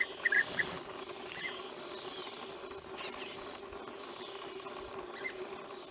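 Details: In Romania in 2016, wild bee-eaters give a few short, rolling calls near the start, with a faint one later, over a steady outdoor hum and a soft click.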